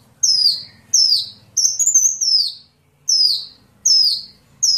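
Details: Sunbird giving high, sharply falling whistled notes about once a second, one stretched into a wavering longer phrase. The recording is used to train songbirds.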